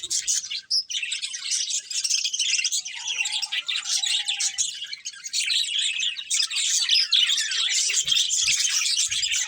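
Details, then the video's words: A group of colourful budgies chatters while feeding: quick, buzzy chirps and trills tumble over one another without a break for almost ten seconds. "Colourful Budgies Chirping Sounds"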